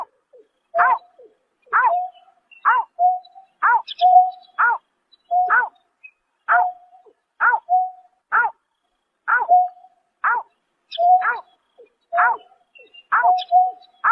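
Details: Long nighttime series from a greater painted-snipe in March 2024: about fifteen downslurred harmonic notes, most followed by a steady whistle, near one per second, with a few faint higher squeaks.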